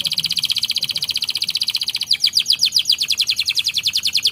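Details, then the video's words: Gacor canary singing: a fast, even, high-pitched rolling trill of rapid pulses that shifts after two seconds into a slower series of sharper, down-slurred notes, with no other sounds heard. "PUTAR SAJA JIKA INGIN KENARI ANDA GACOR!!"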